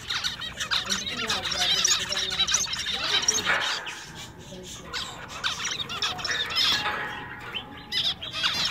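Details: Zebra finches kept in a pet shop, males singing a little: dense high chattering and quick chirps throughout, with a steady faint tone running behind the birds.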